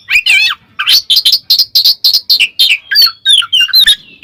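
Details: Oriental magpie-robin, or Kacer, giving ngeplong song to call a rival; fast rhythmic series of bright rising and falling chirps roughly every quarter second, opening with a fluttering trill.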